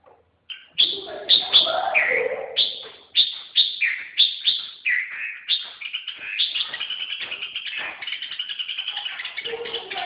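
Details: Red-whiskered bulbul repeating sharp, down-slurred whistled notes about twice a second. The notes then run into a fast, dense twittering chatter that continues to the end.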